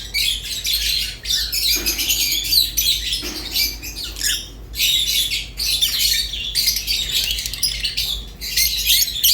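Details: Harsh, high twittering from rosy-faced and Fischer's lovebirds, delivered in dense bursts of a second or two separated by short pauses.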